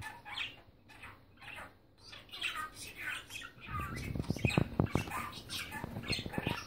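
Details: A talking pet budgerigar, Oskar, chatters in quick, scratchy, warbled bursts, mimicking speech, with knocks and rustling later.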